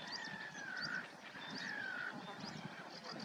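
Two drawn-out, plaintive whistles from a grey plover, each sliding gently downward and lasting under a second. Thin, high chirps from other birds sound faintly behind them.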